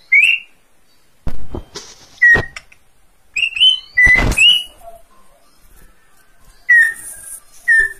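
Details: Greater green leafbird giving scattered short whistles, some rising and some falling, broken by loud knocks and rustling noises nearby.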